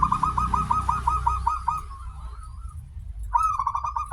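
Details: Local zebra dove with a long opening note, singing actively, played as a lure to make others sing: a long series of rapid, evenly pulsed cooing notes after a higher start, then a second phrase begins after a pause. Low hum underneath.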